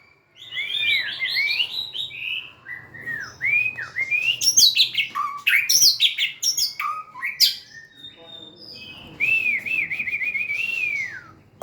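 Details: Song of a White-rumped shama, a popular caged songbird: rich warbled whistles, looping slurred notes and piercing high flourishes, ending with a long quavering trill-like whistle; steady low hum behind.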